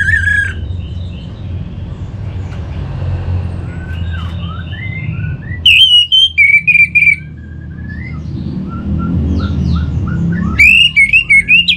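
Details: Orange-headed thrush song, recorded as a lure to get other birds singing: two loud bursts of rich, varied whistled notes with sharp rising and falling slurs, separated by quieter stretches holding faint distant chirps over a low background rumble.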